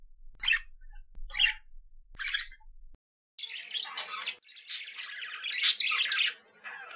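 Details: Budgerigars kept at home give three spaced chirps, then break into a loud continuous stream of scratchy warbling trills and squeaks.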